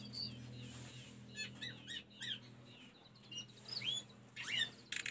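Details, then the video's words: Sunda robin (mountain telendekan) song: a lively run of clear, high whistles, swooping slurs and short buzzy bursts, varied from phrase to phrase, over a low steady hum. "Mp3 burung telendekan masteran tledekan gunung"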